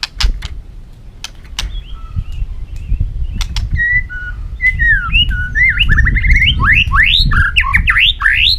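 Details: White-rumped shama, a caged bird known locally as chòe lửa or murai batu, singing in provoking competitive style: loud clicks, then rising whistled notes that quicken into a fast run of upswept slurs, with low background rumble.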